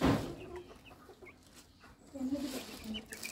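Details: White yard chickens moving about outdoors: low, soft clucks in short runs, with a few higher squeaky notes scattered through and a muffled thump at the start.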